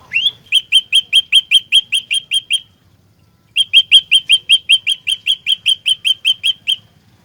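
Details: Olive-backed tailorbird, a fighter used as a trapping lure, singing two rapid bursts of crisp rising chirps, about eleven then fourteen, split by a second of silence.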